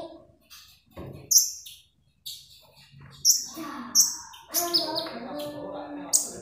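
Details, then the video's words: Magpie robin in energetic, constant song, offered as a lure and master sound for training birds: sharp high chirps and whistled notes in short bursts, with some lower, rougher notes between them. "KONIN GACOR SUARA ASLI ORIGINAL//ampuh buat master||pancingan"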